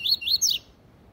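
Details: Double-collared seedeater giving the tui tui zel zel song, a style used to teach young birds: three bright, arched whistled slurs in rapid series, the last swooping downward, then quiet.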